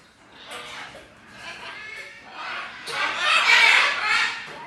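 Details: Two recently fledged great green macaw chicks, bred at the Punta Islita refuge and breeding centre for release, outside their artificial nest box by the aviary, giving harsh, raspy squawks in short bursts that end in a louder, longer grating call.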